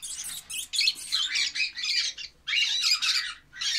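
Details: Baby lovebirds give loud, rasping squawks in choppy bursts, each harsh and noisy, with a short silence before a longer grating burst.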